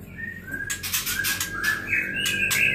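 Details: Young white-rumped shama fledglings in a breeding cage give short whistled chirps, some slurred and rising, mixed with bursts of wing flapping and rustling.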